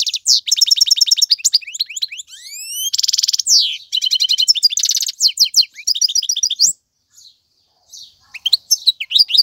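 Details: European goldfinch, a male, sings for young birds to learn from; long stream of tinkling twitters, rising whistled slurs and harsh buzzy trills, with a brief quiet gap before more scattered chirps.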